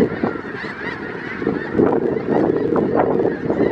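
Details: Around 5000 snow geese gathered in winter in south Grayson County, Texas, February 2018; a dense, continuous chorus of overlapping nasal honks and yelps from the massed flock.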